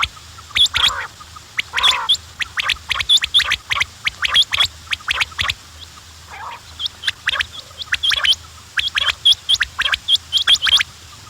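Quails calling together in a rapid, overlapping stream of short, high, scratchy chirps and squeaks, several each second, with no other clear sounds.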